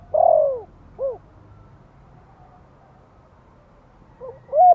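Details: Spotted dove from Vietnam, a caged lure bird in the Thổ voice style, used to draw out newly kept doves. Two clear arched coos, a long pause, then two more coos at the end in a quiet setting.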